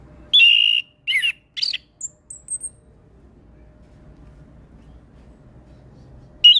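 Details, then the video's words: Orange-headed thrush, a young untrained bird, giving lively song phrases: a loud whistle, two rough chattering notes, then a few faint, very high thin notes fading away, with silence until one last loud note. "Suara Anis kembang Gacor Full isian"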